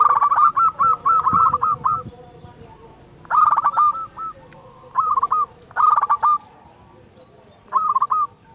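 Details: Loud local perkutut, or zebra dove, used to coax silent doves into song, delivers clipped rapid coo phrases of four to eight notes, separated by pauses of about one to two seconds, over a low background hum.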